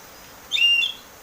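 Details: Single clear whistled note of an Oriental magpie-robin in open 'ngeplong' song, used as a lure for a caged bird, held about half a second over steady background hiss.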